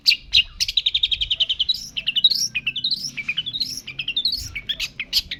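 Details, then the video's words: Long-tailed shrike in lively song, delivering fast strings of clipped high notes that slide upward in rising sweeps, interspersed with sharp single chirps, over quiet low background rumble. "pentet gacor"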